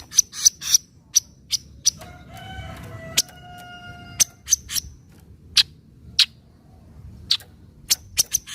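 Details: Javan kingfisher 'nyecret' call, used as a lure for kingfishers that are slow to call: sharp, dry chips repeated at uneven intervals, with a drawn-out, harmonic-rich tonal note lasting about two seconds partway through.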